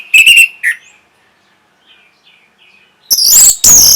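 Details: Orange-headed thrush singing, used to stimulate breeding and draw a reply. A quick series of clipped whistled notes gives way to a near-silent stretch with faint soft twitters. It ends with two loud, harsh, drawn-out rasping bursts.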